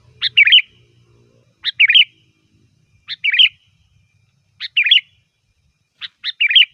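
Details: Sooty-headed bulbul song for luring bulbuls: five short chirpy phrases, each a sharp note followed by a twisting warble, spaced about every one and a half seconds in near silence.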